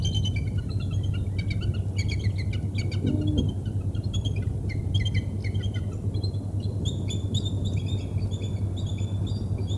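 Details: Bald eagle at the Decorah North nest in the early morning, 25 February 2020; bursts of high, thin, piping chirps repeat irregularly through the clip, over a constant deep rumble of wind or machinery.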